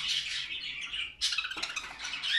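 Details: Pair of caged cockatiels kept for breeding, coming into breeding condition and starting to call: dense, loud, harsh chattering and squawks run throughout, with a brief dip then a burst of scratchy notes before the chatter resumes.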